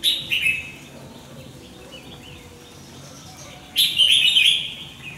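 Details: Red-whiskered bulbul singing in a fast, fiery style during song training. A short warbled phrase at the start, a long quiet gap, then a loud extended bright warble.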